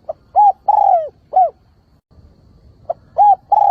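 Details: Spotted dove decoy, used to lure wild doves and stir them to call. It gives two phrases of mellow, hollow coos, each opening with a short clipped note and a drawn-out falling coo, separated by a quiet pause.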